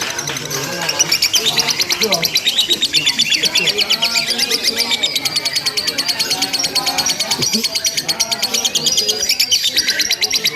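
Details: Lovebird in a simulated singing contest, long unbroken chattering: dense rapid high trills repeated about three times a second, with overlapping voices of other competing birds throughout.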